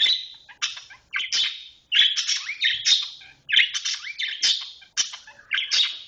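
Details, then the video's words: Long-tailed shrike singing in the fast, tight "roll speed rapat" style: a rapid run of harsh, scratchy high notes and short buzzy bursts, packed closely with brief gaps, about a dozen phrases in six seconds. "cendet roll speed rapat"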